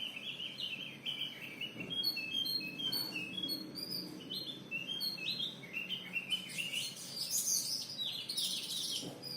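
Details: Javan grey-throated white-eye singing in the style called "telolet om": rapid strings of high, sharp chirped notes repeated in quick runs, becoming denser and more jumbled toward the end, over a steady low background hiss.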